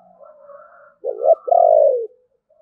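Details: Spotted dove of the 'thổ bầu' voice style: a soft, drawn-out murmur, then a loud clipped double note and a long level coo sliding downward at its close.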